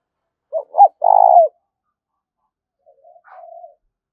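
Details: Spotted dove calling, used to prompt decoy birds to coo: two quick short notes and a rolling low coo, then after a pause a faint, softer rolling coo trailing off. No other sounds.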